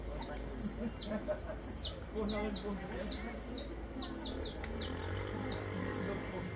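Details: Saffron finch song of repeated sharp, high notes that slide downward, delivered in quick bursts, while people talk quietly beneath and a low hum runs underneath.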